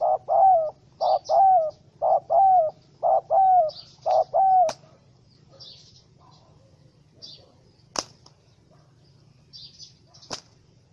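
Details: Spotted dove, wild and angry in a small rope trap, 04/07/2017; a rapid series of five paired coos, short then longer falling notes, about one each second, then silence broken by sharp clicks and faint high chirps.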